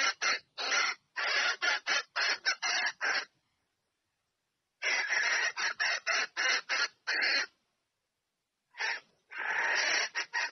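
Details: Red junglefowl hen calling her mate: three bouts of fast, gritty cackling notes, each lasting a few seconds, separated by silent gaps of about one and a half seconds.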